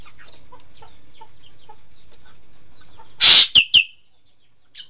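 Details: Green magpie (engkek keling) giving one loud grating screech followed by two quick, downslurred notes, after soft twittering and chirps from other birds in the background.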